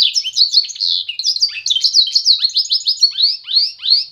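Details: Song of a Pintagol, the hybrid of canary and goldfinch: rapid rolling warbles and tweets give way to a series of rising whistled slurs repeated about three times a second, clear and uninterrupted, with a quiet background.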